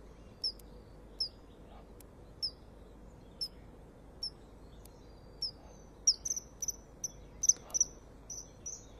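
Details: Common kingfisher, one of a pair, calling loudly as it flies off with the other kingfisher after landing on a small platform, morning of 25 February 2015: thin, piercing high whistles about once a second, then a quicker burst of several.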